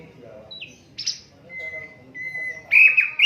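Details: Asian brown flycatcher, unedited recording for training songbirds: sparse high notes and a short raspy burst, then long level thin whistles ending in a loud wavering phrase.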